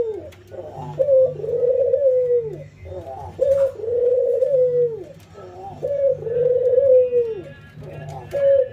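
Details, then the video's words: Albino white ringneck dove against a local ringneck dove during routine training, nodding and laughing: three long, low cooing phrases, each starting with a short note then a drawn-out, slightly falling coo, repeated about every two and a half seconds, indoors with a low hum. "puter putih albino versus puter lokal ngangguk dan tertawa"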